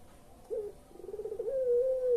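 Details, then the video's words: A brief upslurred note, a bubbling trill, then a sustained hollow coo from a puter pelung collared dove, a call used as a lure to set quiet birds calling. "SUARA BURUNG PUTER PELUNG"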